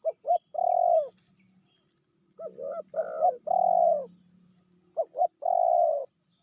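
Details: Female spotted dove, said to be fiercer than the male and medium-voiced, giving low hoarse coos: two or three short clipped notes, then a long drawn, slightly falling coo, repeated in three phrases over six seconds.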